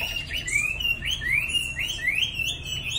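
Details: Captive Chinese hwamei nearly two seasons old, from Định Công in Hanoi, Vietnam. Clear, loud whistled notes slur upward, repeated about every half second in a steady series. Low background rumble is audible.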